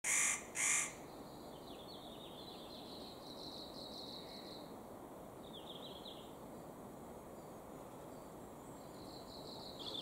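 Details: A spotted nutcracker, possibly a juvenile, gives two loud, harsh, rasping calls as it flies away, followed by faint high chirps from other small birds.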